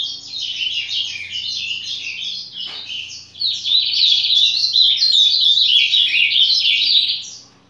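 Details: Ultramarine grosbeak sings a fast warbled phrase, breaks off briefly near a faint click, then resumes with a louder, rich run of rapid chirping notes; light background hum.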